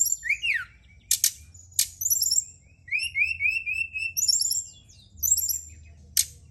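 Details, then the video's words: Brown-chested jungle flycatcher singing at night, a lure to prompt singing: a falling whistle, sharp clicks, strings of short high warbled notes and a steady run of repeated whistled syllables over a faint hum. "Pancingan & Terapi Burung SRDC dimalam hari biar tambah GACOR & CEPAT NGEPLONG"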